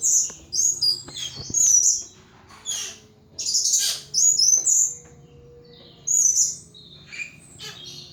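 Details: Pet thrush in a cage belting out ngeplong song, loud high whistled phrases in separate bursts about a second apart, some sliding, with soft hum in the background.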